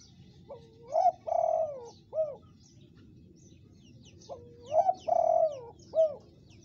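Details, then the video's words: Spotted dove call meant to lure other doves: a three-part coo phrase, a rising opening note, a long level coo, then a short final coo, repeated after a pause, with faint high twittering behind. "pancingan ampuh tekukur gacor"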